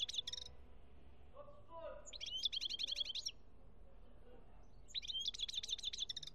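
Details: European goldfinch from Algeria, 2017: bright, rapid tinkling twitters in two dense bursts of fast high notes, each about a second long, with a short opening phrase and a faint low voice in between.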